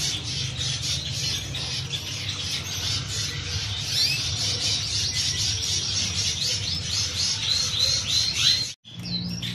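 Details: Canaries singing dense high twittering and rolling trills, a brief gap near the end, with low background hum.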